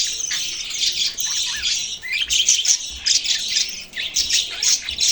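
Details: Budgies in a steady chorus of twittering, chirping and scratchy squawks, some notes sliding upward, the chatter rising and falling in bursts throughout.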